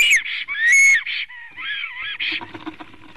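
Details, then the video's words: Black stork at its nest on 6 May 2019 at 9:22 in the morning, singing: loud, bright whistled and buzzy notes with harmonics, some rising and falling, run together over three seconds, then softer rattling pulses. "Melnais stārķis ~ Kaupo sings"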